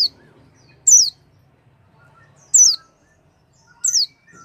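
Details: Lure sound for a white-eye that has stopped singing: three loud, piercing, high downslurred chirps about one and a half seconds apart, with near silence between them.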